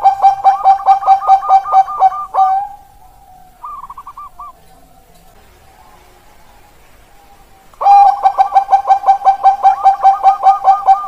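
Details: Captive Bangkok-type zebra doves (perkutut Bangkok) in Indonesia, recorded 16 October 2023: fast bubbling runs of mellow cooing notes, about two and a half per second, in two loud bursts with a softer, higher run between them.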